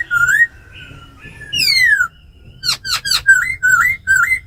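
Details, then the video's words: Laughingthrushes kept tame, female ro khẹt calling with a black laughingthrush in forest voice song to excite wild-caught birds; rising whistled notes, a long descending slur, quick sharp chips, then short upturned whistles. "Tiếng chim khướu mái ro khẹt + khướu mun thuần hót giọng rừng kích bổi căng lửa"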